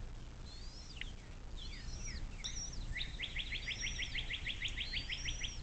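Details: Bald eagle on a nest camera along the Little Miami River near South Lebanon, southwest Ohio, USA, recorded 06.04.2024 at 17:23: a rapid run of about fourteen high, sharp, evenly repeated piping notes, after thinner whistles from other birds.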